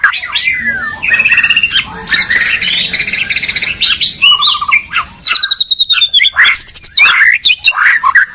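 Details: White-rumped shamas, a Medan bird and a Borneo bird, dueling in song: rich, varied phrases of clear whistles, quick slurred notes and fast rattling trills, with bursts of high repeated notes and sharp chips near the end, nearly continuous.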